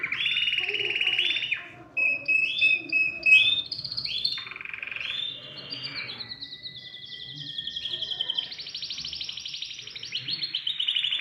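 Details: Canary in loud, excited song meant to spur other birds into singing, mixing short chopped phrases and clipped rising notes before settling into a long rolling trill that climbs slightly in pitch.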